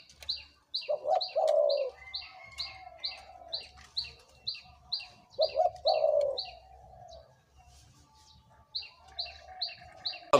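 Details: {'caption': 'Kept decoy Spotted Dove, aged two to three years, delivering two deep coo phrases, each a brief stutter and a longer wavering note, separated by pauses. Steady rapid high chirping from other small birds fills much of the recording.'}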